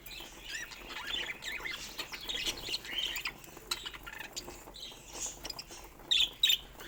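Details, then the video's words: Pet budgerigars chirping softly: continuous quiet warbled chatter of scratchy, high twittering notes and clicks, rising and falling in bursts, with two sharper, louder chirps near the end. "Soft Budgie Chirping Sounds"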